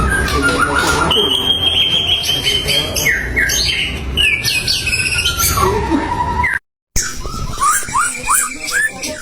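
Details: Singing white-rumped shama, a provoking song played to rouse rival birds: long varied medley of clear whistles, downslurred notes and quick chips, briefly cut by a silent gap before rapid slurred phrases resume.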